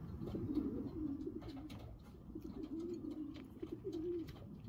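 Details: Young racing pigeons (homers) during training, cooing steadily: low, rolling coos repeat in short phrases throughout, with faint clicks and shuffling in the background.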